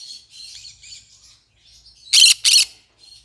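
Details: Green-cheeked conure pet bird with gentle high chattering warble for two seconds, then a pair of loud raspy squawks and a little more soft chatter.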